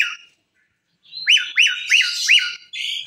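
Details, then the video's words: Asian pied starling singing, said to set off other birds; four quick arched whistled notes in a row, overlaid by a harsh hissing rasp. "jalak suren gacor pembagkit burung lain ikut bersuara"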